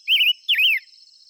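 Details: Two loud rippling whistles from a five-coloured bird in close succession, the second dipping then wobbling downward, with a faint steady high hum underneath.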